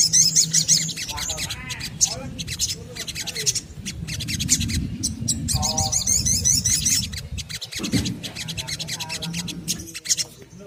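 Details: Little spiderhunter (sogon) song, played as a lure to get other birds singing. High, sharp chirps and trilled notes repeat rapidly in bursts at the top of the range. A steady low rumbling noise runs underneath.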